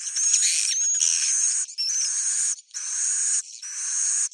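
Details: Swiftlet roosting call: long, harsh, buzzy high chirps, each over a second, in a broken series with short gaps between them.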